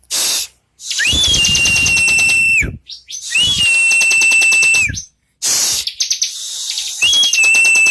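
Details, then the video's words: Bar-winged prinia song, loud and close: each phrase opens with a rapid ticking trill, then holds a sustained piercing whistle that slides slightly down, three phrases separated by short silences. "Burung Ciblek"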